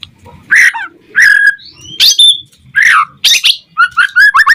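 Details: White-rumped shama singing, used to provoke other shamas into singing: loud, varied whistled and harsh phrases in bursts about every second, ending in a fast run of rising whistled notes.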